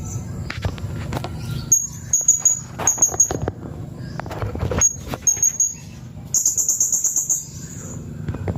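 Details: Blue-crowned hanging parrot singing as training material for white-rumped shamas: very high, thin whistled notes in short groups, ending in a fast, even string of sharp high chips, with clicks and low background hum.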